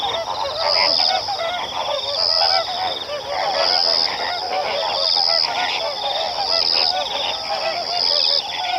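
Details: A dense flock of lesser and greater flamingos keeps up a continuous goose-like honking and gabbling, many nasal voices overlapping, with a thin high tone recurring about every second and a half.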